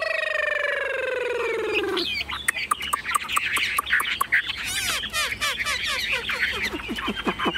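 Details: Caged Chinese hwamei, tame and carried by hand, begins after a low drawn-out falling sound, then bursts into dense chattering song with sharp clicks and whistled flourishes.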